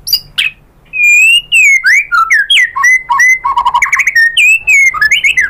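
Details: Murai batu, the white-rumped shama, in full song meant to draw other shamas into singing. Loud, rich whistles slide up and down, mixed with quick stuttering trills and high sharp notes in a continuous varied stream.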